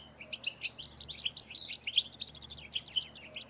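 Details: Several European goldfinches twittering together in betbeta chatter, used to stimulate male song and mating. Overlapping liquid chirps and slurred notes blend into a busy, steady babble. Low background hum runs underneath.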